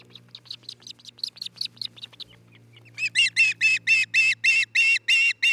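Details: Osprey at a nest camera in Charlo, Montana, on 27 June 2018 around 13:41–14:41, giving a fast series of soft high chirps, then loud, clear whistled notes about four a second, over a low electrical hum.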